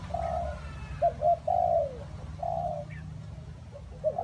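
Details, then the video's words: Spotted dove cooing in rainy, windy weather: short paired low coos followed by a longer drawn-out coo falling at the end, then another long coo and more short notes, over a steady low rumble. "Thời tiết mưa gió ace vào nghe cu gáy gù cả ngày"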